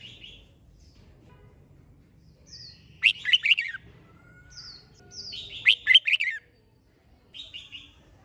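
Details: Red-whiskered bulbul in the competition singing style known as hót đấu, giving two loud, rich warbled phrases of quick falling notes about three seconds apart, with softer short chirps between them.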